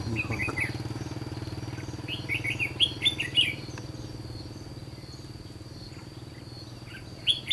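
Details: Red-whiskered bulbul at a trapping site in the Gulf of Tonkin area of Vietnam, giving short warbled, chirpy phrases in bursts near the start, around the middle and at the very end, over a steady high whine and a low rumbling hum.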